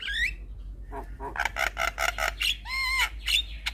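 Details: Black-winged starling song used to provoke stressed starlings to respond: a whistled upward slur, then a quick run of grating broadband notes and a long, clear, harmonic whistle, with constant low hum.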